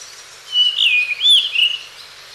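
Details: Blue rock thrush (Monticola solitarius) call, from a pair at Osaka Castle Park, Japan, 10 May 2015: two quick fluting, warbled whistled phrases in close succession, the second swelling then falling away, over soft steady hiss.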